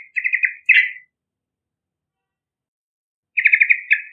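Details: Lure song of a Yellow-vented bulbul: a fast string of bubbly warbled notes ending in a louder slurred note, then silence and another similar rapid phrase; no other sounds.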